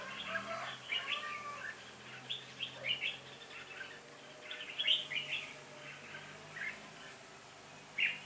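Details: Red-whiskered bulbul used as a lead decoy bird to call a wild flock during trapping, 26 November 2017; bright warbled chirping phrases come in bursts through the clip, with several birds answering and a low steady hum beneath.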